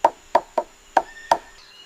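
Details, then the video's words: Palm cockatoo drumming with a stick on wood in Australian rainforest, choosing where to strike as each tree sounds different: five hollow, sharp knocks in under two seconds at an uneven pace, faint high tone behind; courtship display and social communication. "And the palm cockatoo can choose where to strike."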